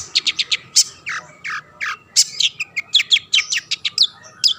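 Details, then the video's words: Long-tailed shrike (cendet) in full voice, used to provoke rival shrikes to sing; rapid bursts of high sharp chips mixed with lower rasping downslurs in an uneven, hurried sequence. "burung cendet gacor pendongkrak emosi lawan‼️ pancingan / masteran handal"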